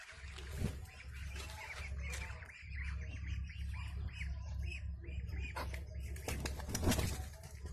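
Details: Muscovy ducks give a run of thin, arched peeps, about three a second, over a steady low rumble, with a few flaps and knocks near the end.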